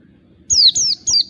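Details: Three bright, thin whistles from a wild oriental white-eye, each sliding smoothly downward, delivered in quick succession; the sound is used as a lure for other white-eyes.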